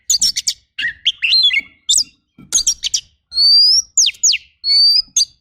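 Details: Oriental magpie-robin training song full of rough bursts: scratchy chip clusters and twisting whistles, then long steady whistles alternating with steep descending slurs.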